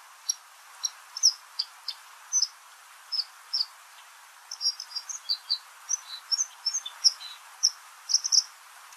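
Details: White-throated Dipper singing in winter by a clear mountain stream: a slow, loose run of high, scratchy twitters and squeezed notes, spaced irregularly, over the steady rush of the stream.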